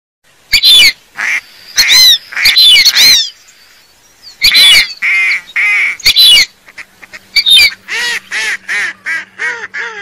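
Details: Whistling duck calls used as a hunting lure: bursts of high, whistled, arching notes in loud clusters, then a run of shorter repeated whistles with a faint steady hum underneath.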